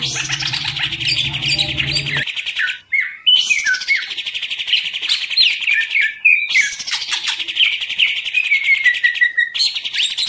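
Green leafbird singing rich, fast phrases of whistles, chatters and sliding notes, in three bursts a few seconds long. A low hum sits under the opening.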